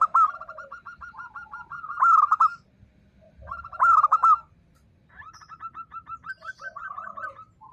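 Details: Zebra dove of local stock, an active singer, delivers a style used to provoke silent birds into replying. Two rippling runs of quick coo notes end in loud stuttered flourishes, then a third long run, with other doves cooing softly.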